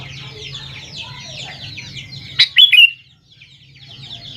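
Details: Lure song of a sooty-headed bulbul meant to draw replies from young birds. A sharp, ringing cluster of three quick whistled notes stands out midway, set against continuous twittering from many birds and a faint low hum.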